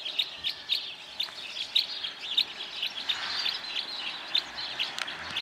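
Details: Red crossbill calling: short sharp chip notes repeated rapidly and fairly evenly through the recording, over a steady background hiss.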